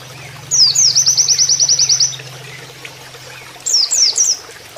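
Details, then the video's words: Oriental white-eye giving canary-style master song: a single sweeping note opens a two-second run of fast, high repeated notes; after a quiet gap come a few swooping whistles. Low hum throughout. "MASTERAN PLECI NEMBAK KENARIAN"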